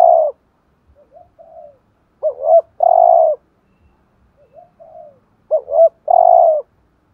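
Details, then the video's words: Decoy spotted dove cooing in the 'thúc gù' style to stir up rival males. Phrases of two quick hooted notes and a drawn-out croo come about every three seconds, with faint falling coos between them. "chim cu gáy thúc gù BÀi BẢn/ tiếng chim cu gáy kích bổi và mồi rất xiêng gáy"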